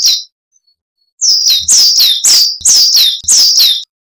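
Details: Coal tit song used as a training recording for cage birds: after a brief opening note and pause, five loud, high, sharp two-note phrases follow in quick succession, each a bright whistled 'wee-tsu', with no other sounds.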